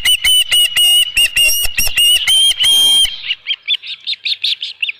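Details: Osprey calling at a nest holding a headless fish, 27 June 2018 near 12:48 PM; a steady string of piercing whistles for three seconds, followed by a series of quieter, softer whistled notes.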